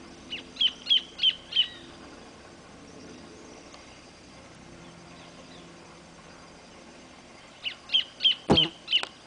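Orange-breasted Thornbird giving two bursts of about five sharp, high chipping notes in quick succession, separated by a pause, with one loud click near the end.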